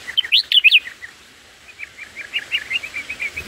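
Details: Black-headed bulbul nestlings begging as they are fed in the nest: a few loud, sharp rising-falling chirps at the start, then a fast run of softer, repeated high twitters.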